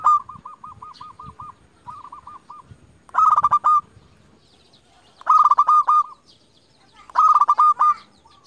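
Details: Local zebra dove, a champion caller for luring rivals, starts with a long even series of soft coos, then three loud rolling coo bursts about two seconds apart.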